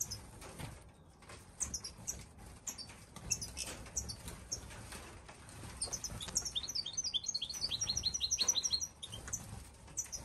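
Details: An aviary goldfinch in Marseille in December 2021, possibly a mutation bird, sings a fast, tinkling run of high twitters and liquid chirps, with a lively burst of rapid notes near the end; soft rustling underneath.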